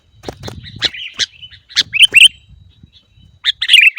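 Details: Caged sooty-headed bulbul, kutilang, calling to prompt other kept birds to sing: spaced sharp chips and short bright slurred phrases, over faint low rustling in the first second.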